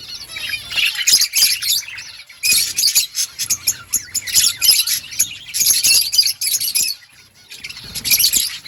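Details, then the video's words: Parakeet chirping in rapid, uneven bursts of high twittering and scratchy notes, several clusters broken by short silences, with a faint low hum underneath. "Budgies birds sounds parakeet chirping sounds"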